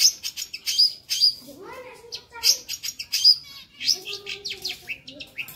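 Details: Long-tailed shrike singing lively fill phrases: sharp high chirps repeated in quick runs, mixed with lower slurred, nasal rising-falling notes.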